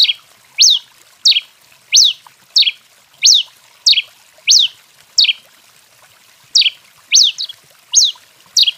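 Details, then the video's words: Rufous-collared sparrow, a song style called canto 21: sharp, bright notes sweeping steeply up then down, repeated about every half to two-thirds of a second with slight variation. No other clear sounds. "TICO TICO REI CANTANDO DEMAIS! CANTO 21"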